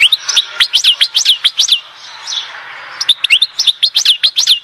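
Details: European goldfinch from Oued Zhour, Skikda: two bursts of lively song built from rapidly repeated up-and-down slurred chirps, separated by a quieter second of soft rustle.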